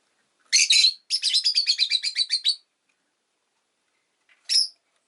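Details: A pet rosy-faced lovebird lets out a loud screechy chirp followed by a rapid rattling run of about a dozen buzzy notes, then a pause and one last sharp squeak.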